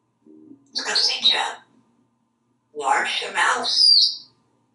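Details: Talkative African grey parrot, a male hatched in 1997 and kept at home in Texas, practising alliterative phrases in a bathroom shower: two short bursts of clear, human-like chattered words with squeaky whistled tones.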